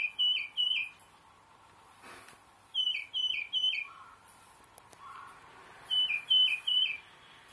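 Tufted titmouse singing clear, down-slurred whistles in quick sets of three or four, 'peter-peter-peter,' repeated every few seconds; a softer, lower whistle sounds in between.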